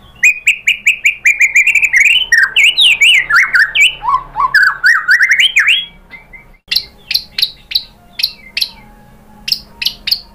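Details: White-rumped shama song used to lure other birds into answering: a fast string of repeated whistled notes flowing into varied swooping phrases, then a quieter stretch of evenly spaced high sharp notes.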